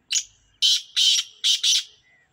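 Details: Sindhi black francolin giving a harsh, grating call of five rasping high-pitched bursts, the last two run together, in an otherwise silent recording.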